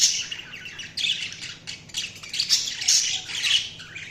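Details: Budgerigars keep up loud, rasping warbles and squeaky chirps in overlapping phrases, a busy high chatter that barely pauses.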